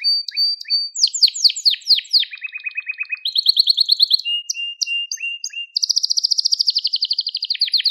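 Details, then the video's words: Singing crested Gloster canary, used for training young birds: rapid descending sweeps, a low dry rattle, a higher buzzy trill, scattered whistles, then a long, very fast high trill. "Muhteşem Tepeli Gloster Kanarya Ötüşü | Gloster Kanarya Sesi"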